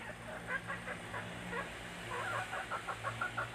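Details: Free-range village chickens raised naturally in a leafy rural setting: soft, repeated clucking notes, quickening toward the end, over a steady low hum and background noise.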